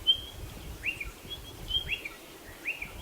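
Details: Clear whistled pattern from a spotted pardalote: thin high notes alternating with lower rising slurs, three-note groups repeated about every second and a half, with quiet ambient noise behind.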